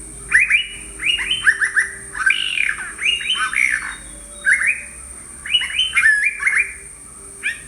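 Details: Yellow-browed Bulbul in Sri Lanka giving bursts of bright, slurred chattering notes in quick clusters, with a steady high insect-like hiss behind.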